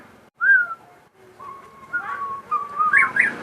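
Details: Crossbred captive shama singing long, smooth whistled notes that slide up and down, with a faint background hum.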